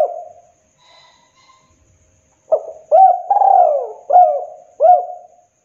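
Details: Tekukur, the spotted dove, singing a KUK 2 song used to lure wild doves; a trailing coo and a faint distant whistle come first, then a clear phrase of mellow coos with one long rolling note in the middle.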